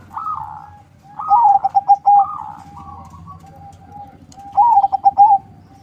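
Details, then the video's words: Captive zebra dove, a crossbred local and Bangkok bird used to lure others, repeats its melodious song: a soft rising coo leading into rapid stuttered, rolling notes, heard twice with softer coos between, in a quiet setting. "Perkutut crossing lokal silangan bangkok suara merdu, untuk pancingan"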